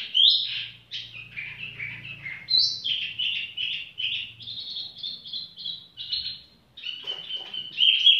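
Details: Relaxed tiểu mi bird song: a continuous stream of warbled high notes, some falling and some steady, with a few sharp clicks near the end and a faint low hum.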